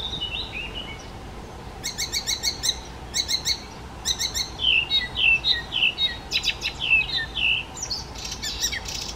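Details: Rich, varied Icterine warbler song, full of imitations of other birds: stuttering buzzy bursts, then fast tumbling whistled slurs and squeaky chattering notes running almost without pause.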